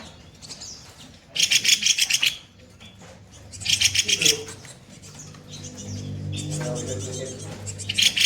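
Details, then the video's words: Kopi-kopi bird singing harsh 'tembakan kasar' bursts for training other songbirds: loud, rapid rasping rattles about a second long, with low murmuring voices and hum in the background during the second half. "Masteran burung KOPI KOPI bahan gacor tembakan kasar"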